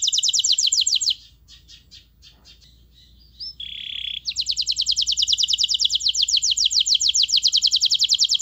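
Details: Canary in strong song: a rapid high trill, a quieter stretch of soft scattered notes and a brief buzzy phrase, then a long steady roll of fast repeated high notes.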